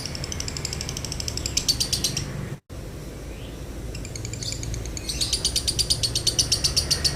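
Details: Lovebird 'konslet' song with a dry tone, used for training and provoking other birds: bursts of high, rapid, scratchy chatter, broken by a short silent gap and a quieter stretch, then resuming in steady quick pulses.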